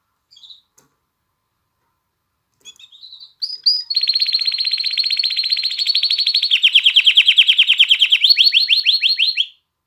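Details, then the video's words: Canary song aimed at encouraging females to mate and chicks to sing: a few soft opening notes, then a long sustained high rolling trill that shifts into a lower, coarser pulsed trill, and finally faster rising sweeps. "تغريد كناري نار لتهييج الإناث على التزاوج وتحفيز الفراخ على التغريد"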